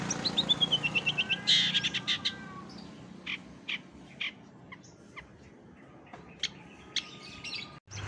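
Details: Long-tailed Shrike (cendet) in a masteran compilation of borrowed bird calls, meant for training contest birds. A fast descending trill of about ten notes opens, followed by scattered sharp clicks and chips before an abrupt cut.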